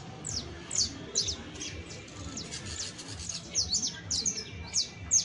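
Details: Saffron finch singing as a tutor for a canary: high, quick, downward-sweeping chirps in irregular bursts, busier in the middle and at the end, with steady low background noise.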